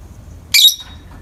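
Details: A single brief, shrill, rasping squawk from pet peach-faced lovebirds, a pair sitting in the morning light, followed by quiet.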